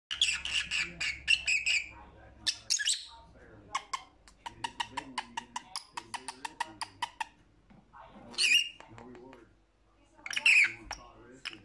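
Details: Lovebird calls, offered as company for lonely parrots: dense bursts of shrill, buzzy squawks and rapid chattering chirps, with runs of quick clicking notes and a low background hum.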